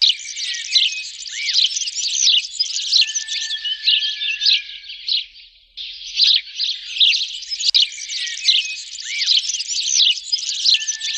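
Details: Lively sparrow chattering, many quick chirps running together, a short lull in the middle, then the busy twittering returns.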